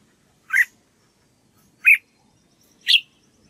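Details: Red-whiskered bulbul practising its song, giving three separate short, sharp chirped notes spaced about a second apart, each slightly higher than the last, with near silence between them.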